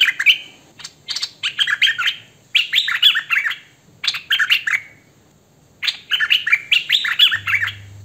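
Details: Hwamei delivering "thơm mồi" song, captured on phone: clustered phrases of tumbling, warbled whistles that swoop up and down, separated by brief silences, with a faint hum near the end.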